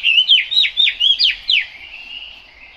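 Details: Chinese hwamei song in the rain: five clear, loud down-slurred whistles in quick succession, then a softer trailing whistle fading out.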